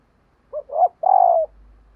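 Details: Spotted dove decoy calling to wild birds in the morning: a soft short note, a rising hoot, then a long vibrating coo that slopes gently down, with a faint low hum afterwards.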